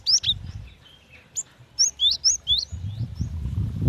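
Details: Female cinereous tit calling to the male: a few sharp rising chirps, then a quick run of hooked, down-bending notes, followed by low rustling noise.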